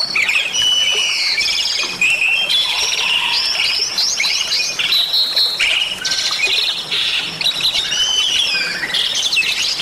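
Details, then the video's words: Bali myna in full, energetic song rich in varied fill-in phrases, intended as tutor material and a singing prompt; a long unbroken stream of chirps, squeaky upslurs and rattling trills at high pitch. "Suara Jalak Bali Gacor Isian Cocok Untuk Masteran Dan Pancingan Bunyi"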